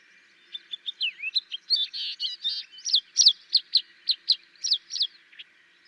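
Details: Tawny lark, also called Sykes's lark, singing in Gujarat, India: a lively run of high, sharp chirps and slurred whistles that quickens into a fast series of clipped notes, about three per second, then trails off.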